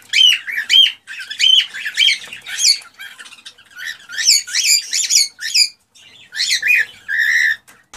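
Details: Excited male cockatiel singing to stimulate a female to mate, indoors: rapid bursts of shrill, warbling whistled notes and chirps with rising and falling sweeps, broken by short pauses, ending in a drawn-out harsher call.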